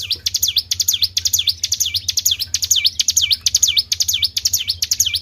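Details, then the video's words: Tribel bird calling, used to attract other birds. Very regular high whistles slide down and rise again, each introduced by sharp ticks, about two per second, with a steady low drone behind. "PANCING BUNYI BURUNG TRIBEL"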